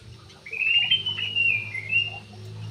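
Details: Brief warbled phrase from a Javan pied starling, a bird praised for its dancing: a slurred whistle that wavers and drops slightly, over a constant low drone.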